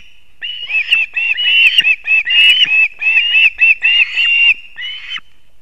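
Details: Osprey at a nest in Kurzeme, Latvia, at 6:40 am on 3 September 2024, as the male brings two fish at once to the chicks: dense runs of high, sharp whistled chirps, quickly repeated, with brief gaps between bursts.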